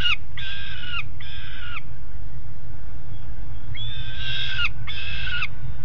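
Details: Juvenile peregrines, two on the nest grate, Alphen aan de Rijn, 17 June 2016 at 13:30, give paired harmonic wailing calls: two, a pause of about two seconds, then two more, each tailing downward.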